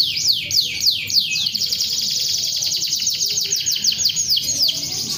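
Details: Canary singing energetically: a few sweeping downward whistles, then a long, rapid, buzzy high trill, with soft background murmur.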